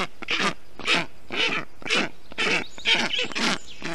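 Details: Black stork chicks in a nest in Estonia on 20 June 2021, calling during heat while the male brings water, moss and wet grass to cool them; harsh, nasal, broadband calls repeated about twice a second in rhythmic bursts.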